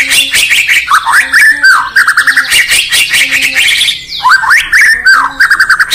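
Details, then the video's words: White-rumped shama (Murai Batu) from Indonesia singing in the morning: a dense, loud run of sweeping whistles that slide down, mixed with sharp clicking and ticking notes, a brief pause near four seconds, then fresh upward and falling phrases. "Bird Chirping In The Morning || Beautiful Murai Batu Chirping"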